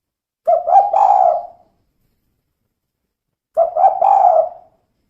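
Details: Female spotted dove, 'kuk 2' call: two phrases about three seconds apart, each a brief stammered start sliding into a sustained, soft, husky coo that fades out.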